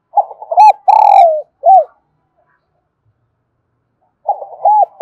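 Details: Spotted dove singing kích bổi: a loud, close phrase of mellow coos ending in a long downward-sliding note and a short final coo. A pause of over two seconds follows, then the phrase begins again.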